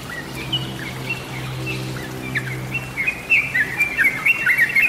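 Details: Lure recording of a yellow-vented bulbul: scattered chirps at first, then a burst of rapid, jumbled bubbling notes in the final two seconds over a low steady hum.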